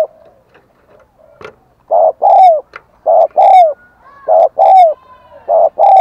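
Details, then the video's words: Spotted dove used as a decoy, cooing and calling to lure wild doves: a few soft scraps and a click first, then loud, hollow paired coos, the second of each pair falling in pitch, repeated about every second. "Chim Cu Mồi THÚC GÙ Và GÁY GỌI Bổi Căng Đét"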